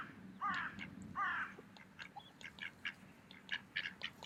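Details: Two strong, buzzy quacks open this recording of mallards eating at a park on an autumn day, followed by a patter of quieter short calls.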